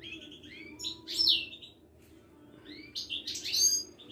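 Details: A caged Moroccan Widani goldfinch, of the kind kept at a Casablanca bird market, gives two bursts of bright, tinkling, buzzy song with sharp high accents, separated by a short pause, over a quiet indoor hum.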